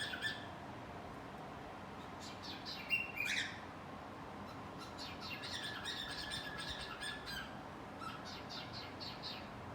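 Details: A cockatiel, hiding and singing, gives bright chirps and short whistled warbles, with a louder rising squawk near the third second, over a steady hiss of background noise.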